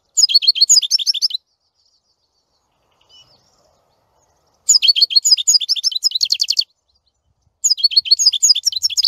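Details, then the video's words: European goldfinch song in three bursts of rapid, liquid twittering, each about one to two seconds of tightly packed high notes, with silent pauses between. "Красивое пение щегла. Singing goldfinch."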